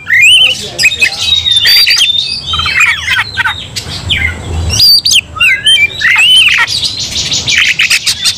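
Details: Combative Oriental magpie-robin, emotions running high, provoking nearby magpie-robins. Bursts of sweet looping whistles alternate with rasping chatter and sharp ticks; a soft low hum runs underneath.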